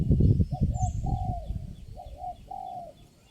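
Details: Spotted dove during lure-bird trapping, the only wild bird calling at the spot and responding strongly: a series of mellow coos, some with short rising starts, partly masked by heavy low thumping and rumbling noise early on.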